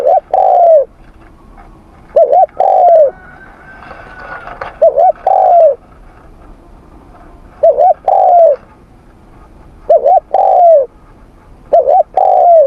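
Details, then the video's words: Morning voice training of a spotted dove: steady series of phrases, each a quick double coo and a long falling coo, about six phrases in under thirteen seconds, a faint whistle midway. "Tiếng Chim Cu Gáy// luyện giọng cu gáy buổi sáng cực đỉnh."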